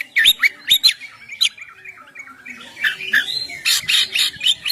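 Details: Ngeplong-style song of an oriental magpie-robin, played to lure birds and get them singing; fast twisting whistles and harsh squawky notes in quick bursts, a quieter warbling middle, then dense loud chatter.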